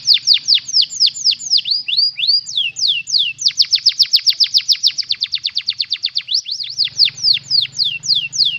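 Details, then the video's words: Canary song meant for training a lovebird to copy it, made of rapid high downward-sweeping whistled notes, several per second, in changing rolling phrases, with a faint low hum beneath. "Suara Burung Kenari Isian Lovebird"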